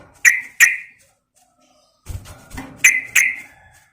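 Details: Female yellow-vented bulbul calling a male: two separate sharp chirps, a pause, then muffled rustling and two more bright chirps.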